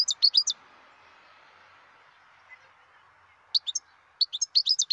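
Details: Bright, high twittering phrases from a wild European goldfinch, broken by a three-second gap filled with low, steady background noise before the rapid chirps resume.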